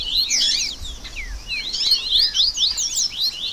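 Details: A tangle of rusty-collared seedeater song used as a 'baderna' for song and stamina training: bursts of quick, high, downslurred chirps and twittering phrases crowding together with hardly a pause.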